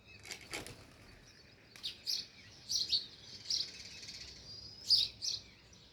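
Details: Chirping of a sparrow near the nest in village surroundings: a run of short high chirps, some doubled, spread across six seconds over faint background noise.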